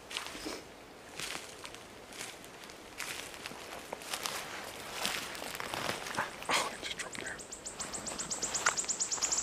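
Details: A wood warbler in Poland on 22 May 2013 gives high, thin ticking notes that speed up into a shivering, accelerating trill near the end, over rustling and footstep-like noise.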